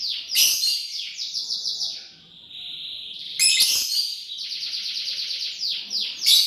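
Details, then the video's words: Dense, continuous lovebird chirping as the bird eats corn, rapid high twittering notes repeated in rolling strings, briefly dipping into a softer steady tone midway before loud chattering returns. "Lovebird Chirping Sounds: Lovebird Eat corn"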